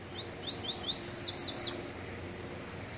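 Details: Double-collared seedeater coming out of moult, singing on its first outing in cold weather: a run of short rising slurred whistles, then three or four loud, buzzy, steeply falling sweeps, with faint background hiss.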